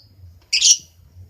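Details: Lovebird giving one short, harsh, shrill squawk lasting about a third of a second, set against a faint low hum and otherwise quiet surroundings.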